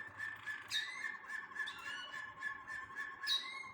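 A Waterslager canary sings a continuous, rolling song of bubbling trills and liquid notes, with brief sharper bright accents breaking in about every few seconds.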